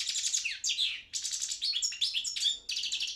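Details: Balkan goldfinch (Carduelis carduelis balcanica), a competition bird, delivering continuous fast twittering song with slurred descending whistles and tinkling trills in short phrases, each phrase blending quickly into the next.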